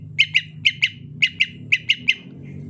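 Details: Greater green leafbird, rainy season, 'ocehan lemas' song style: bright paired chip notes repeated in quick doublets, five pairs in under three seconds, against a steady low background hum.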